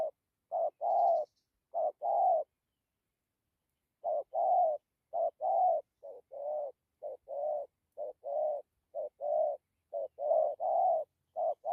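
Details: Steady cooing of a spotted dove: deep, rounded two-part phrases, each a clipped note followed by a fuller held one. They repeat about once a second with a short pause early on, and the background is quiet.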